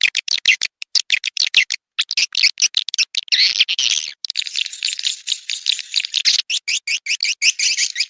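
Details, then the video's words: Edible-nest swiftlet call for attracting birds in the rainy breeding season: sharp rapid clicks running into a steady stream of buzzy, rattling chirps with brief abrupt gaps. "SP Birahi Musim Hujan"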